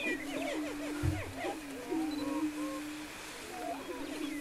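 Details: Greater prairie-chickens on a lek near Wray, Colorado, on April 17, 2011: a continuous low hooting drone of overlapping booming, with wavering whoops and cackles above and a single dull thump.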